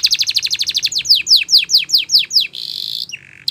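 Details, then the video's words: Spanish Timbrado canary singing a training song: a fast run of short notes, then slower downward-sweeping whistled phrases, followed by a buzzy sustained trill and a lower held tone, clear and close with a quiet background. "Canary Singing Champion !! Spanish Timbrado Song"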